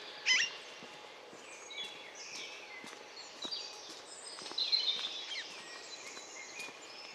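Alexandrine parakeet giving harsh, screechy calls, a loud burst at the start, then scattered rasping notes over a faint steady hum and other distant chatter.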